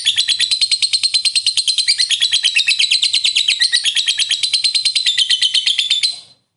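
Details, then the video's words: Lovebird ngekek panjang, a long trilling song to excite other lovebirds: a shrill, rapid, rattling chatter of closely spaced pulses continues for about six seconds, then stops abruptly into silence. "Suara Burung Lovebird Ngekek Panjang Pintar Naikkan Emosi"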